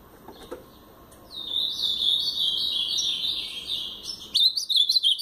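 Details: Brown-plumaged blue-black grosbeak singing a Paraná-style phrase: a long, unbroken warble of sweet high whistles lasting about three seconds, followed by a choppy burst of sharp, fast notes.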